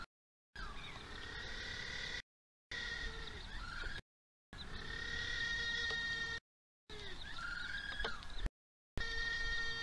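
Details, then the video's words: Little blue penguins at feeding time in Oamaru, New Zealand, 27 October 2023: drawn-out, strongly harmonic nasal calls, several long steady tones with rising and bending ends, broken by short gaps, over a low background rumble. "Oamaru NZ Little Blue Penguin 27 10 2023 ~ karmienie"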